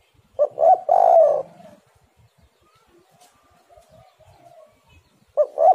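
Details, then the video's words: Spotted dove (tekukur) singing to coax other doves: two short hoots and a sustained mellow coo, then faint soft cooing, with the next phrase starting after roughly four seconds. "tekukur super gacor suara pancingan burung galau"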